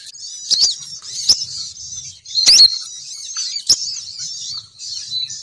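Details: Female sogon bird call used as a lure so males come flocking down, heard as continuous thin high twittering with a few loud sharp snapping clicks and brief louder chirps.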